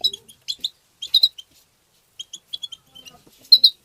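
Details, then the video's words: European goldfinch tbtba song: quick bursts of sharp, liquid twitters and chips in short clusters, with a faint low tone at the very start. "ندهات تبتة حسون مقنين بتبتات وتغريد الحسون بتبتة مجنونة لطيور"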